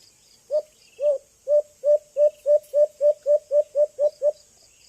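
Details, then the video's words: Young White-eared Brown Dove (Philippines, Antipolo), used as a lure call for trapping: about twelve low, mellow hoots speeding up steadily from half a second apart to a quick run, over a high insect hiss. "Huni ng Ibong Alimokon | White Eared Brown Dove"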